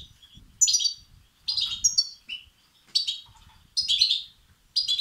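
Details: Begging calls of European goldfinch chicks, played to excite males. Sharp, high chirping bursts arrive roughly every second. Each burst holds several quick overlapping notes, and faint low background noise sits beneath.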